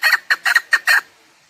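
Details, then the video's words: Short burst of five harsh, clipped clucks from a chukar partridge, spaced unevenly within a second, then silence. Recorded for use in partridge hunting. "Овози кабк кеклик калик пение каклик мастак модкабк"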